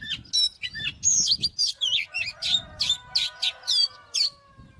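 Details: Oriental magpie-robin used as a lure bird to provoke fighting. It sings loud, varied whistled phrases, some rising and some falling, in quick bursts about every half second. A faint steady lower whistle and soft low rumbling sit underneath.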